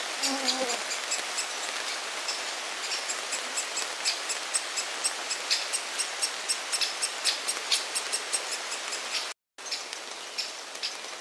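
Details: Great spotted woodpecker chick in a nest hollow, a parent present and the other parent heard farther off; thin high chirps repeated rapidly, over two per second, against steady hiss, with a brief lower wavering call at the start.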